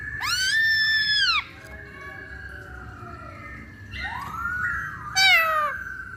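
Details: Masked laughingthrush song used as a lure recording to provoke other birds into singing; loud, rich whistled notes that rise, hold level and drop, with a quieter overlapping whistle between them.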